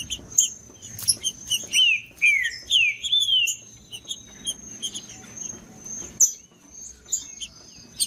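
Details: Rufous-bellied thrush song played to excite a captive bird: loud whistled phrases with slurred notes near the middle, mixed with high chirps and a steady high insect-like whine throughout.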